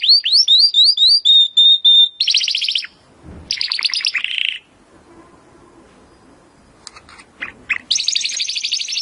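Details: Timbrado canary song for training canaries: looping rising chirps leading into a steady whistle, bursts of buzzy rolls, a long near-silent pause with faint background murmur, then a final high dense roll.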